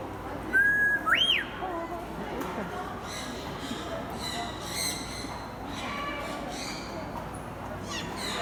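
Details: Grey parrot (Psittacus erithacus) at Kakegawa Kachoen bird park, Japan, whistles a long steady note then a quick rising flourish, mimicking a Japanese bush warbler's "hoo-hokekyo"; murmuring voices and chatter follow.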